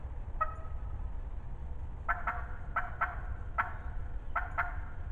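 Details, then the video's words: A talkative wild turkey hen in spring 2020, calling near the recorder: a single note, then several quick pairs of sharp yelps over five seconds, with constant low background rumble. "Close talkative Hen turkey spring 2020 season"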